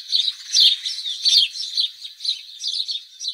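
A house sparrow chirps steadily, a busy run of short, bright cheeps and twitters tumbling over one another, high-pitched and without pause.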